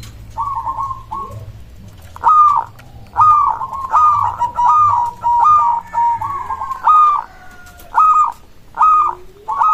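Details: Local zebra dove song meant to make other doves answer: a steady series of high, stuttering coo phrases, each with a clipped start and a held tone, repeated every second or so over a soft low hum.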